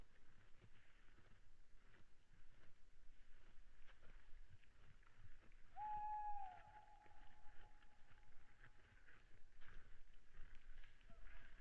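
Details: Nighttime owl call at 22:15 on 26 February 2017, heard through a deer webcam on Saaremaa, Estonia. A single pure, sustained hoot rises sharply, then holds level for several seconds and fades, with faint clatter and low rumble around it.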